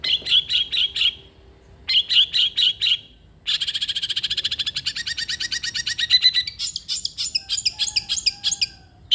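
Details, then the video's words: Energetic long-tailed shrike song meant to coax a reluctant shrike into singing: short bursts of rapid high chatter separated by pauses, then a long fast trill, ending in harsher, varied scratchy notes. "irama KICAU CENDET gacor....cocok untuk pancingan/masteran cendet malas bunyi"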